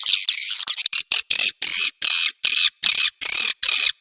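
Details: Swiftlet lure call used to attract swiftlets: harsh, buzzy chirps, quick and clustered at first, then settling into evenly spaced bursts about every 0.4 seconds.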